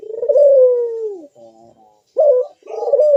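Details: Puter dove with a loud, sharp bekur voice, used to prompt other doves to sing: one long gently falling coo, a quiet pause, then two short strong notes.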